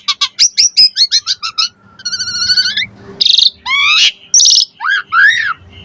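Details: Asian pied starling lure song with varied fill-in phrases: a quick run of sharp chips, a buzzy trilled stretch, harsh grating bursts, then upswept and arched whistles.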